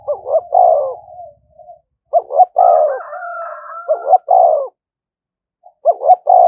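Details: Spotted dove used as a decoy, calling continuously to provoke rival birds into fighting; low hollow cooing phrases in short bursts of two to three notes, separated by brief silences, with a faint low rumble at the start.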